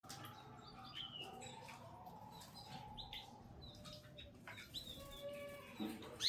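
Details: Canary feeding its chicks inside a mini aviary: soft, scattered high chirps and brief tweets, faint and irregular, over a low background rumble, ending with one louder sharp note.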